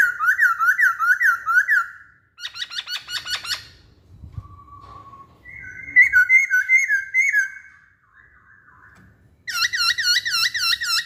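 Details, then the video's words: Masked laughingthrush song of varied whistled phrases: looping repeated notes, a fast rattling series, a brief low whistle, steady slurred whistles, then another run of quick repeated loops. "Kicauan Poksay Hongkong"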